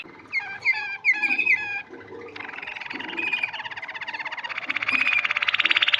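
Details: Canary singing: opening clipped whistled notes, then a long buzzy trilled stretch rising into fast, loud repeated pulses about two or three per second near the end, with faint low rustling beneath.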